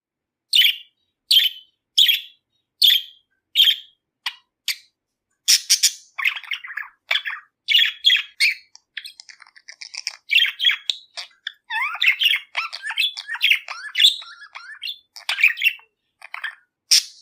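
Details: A Budgerigar (Melopsittacus undulatus) playing with a swing gives sharp repeated chirps, then breaks into fast, warbling chatter.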